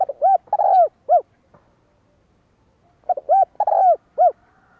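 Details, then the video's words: Spotted dove giving the 'kích bổi' style call used to fire up decoy birds: two phrases of short mellow coos with a long slurred croo and a final coo, about three seconds apart, with silence between. "Chim Cu gáy Kích bổi - tập mồi căng lửa / Tiếng chim cu gáy kích bổi nhanh nổi 2023"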